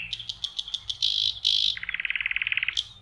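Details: Spring nightingale by a lake in May sings a fast series of ticking notes, a loud buzzy burst, then a quick rolling trill of repeated doubled notes ending in a high flourish.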